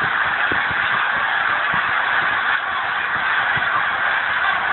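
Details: Thousands of geese taking flight from a frozen lake in Pemberton, New Jersey, in December: a dense, continuous wall of overlapping honks, loud and steady throughout, with no single call standing apart from the roaring chorus.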